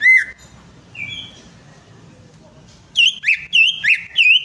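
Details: Greater green leafbird song used as a lure to prompt a silent bird to sing: after a few scattered whistles, a run of five loud, clear whistled notes with ringing overtones, each with a quick upward flick.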